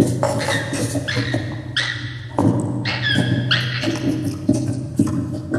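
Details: Laughing kookaburra in Australia cackling loudly in hoarse, barking bursts of rising notes repeated roughly every half second, over a steady low hum.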